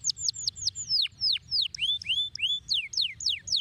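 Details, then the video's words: Canary singing a fast series of clear whistled notes, first quick repeated downward sweeps, then longer descending and rising slurs, about three notes per second, over a faint low hum. "أي كناري يجب أن يسمع صوت هذا الكناري"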